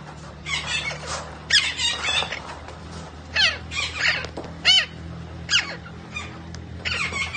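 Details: Green parrot making varied harsh squawks and short screeches, some sweeping downward, scattered irregularly over a steady low hum.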